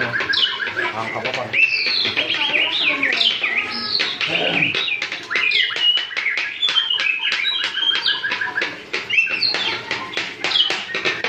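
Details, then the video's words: White-rumped shama, a young bird learning to sing, delivering a fast varied song of high whistled and chattering phrases with rapid slurred notes, continuing steadily throughout. "Baru belajar sudah gacor....murai gacor"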